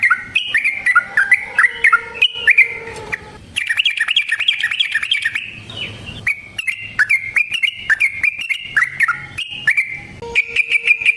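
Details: Yellow-vented bulbul singing a long fighting song, used as a lure and training tutor: fast, jumbled bubbling phrases with rolling trills, a brief lull midway, then more lively warbling.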